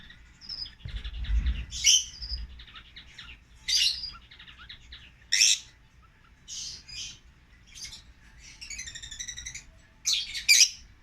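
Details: Tame, caged African lovebird siblings in an aviary give sparser calls: separate piercing chirps and squeaks, a few buzzy stacked notes, with soft twittering in the gaps and a low thump near the start.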